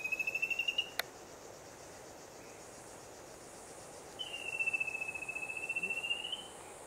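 Rufous-capped antthrush giving a fast, even trill of clear whistled notes that rises slightly and then levels off. A sharp click and steady background hiss are also heard.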